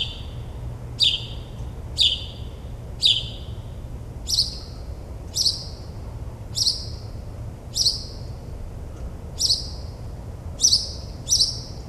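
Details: Mockingbird's midnight song in suburban New Jersey, mimicking more than a dozen birds: a series of sharp downslurred whistles, roughly one per second, shifting midway to a slightly different repeated note type. Quiet low hum beneath.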